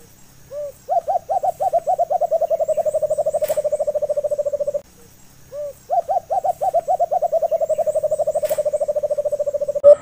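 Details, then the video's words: White-eared brown dove (alimukon), a call for use as a hunting lure played through a bluetooth speaker. Low hooting phrase opening with a single note, then a long run of rapid, evenly pulsed hoots, repeated twice. "1 Hour Huni ng Alimukon"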